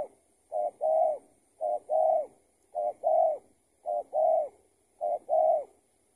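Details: Spotted dove, a tethered decoy bird that got loose, heard while being trapped with a lure; steady series of low two-part coos, short then long, five phrases at regular intervals in quiet surroundings.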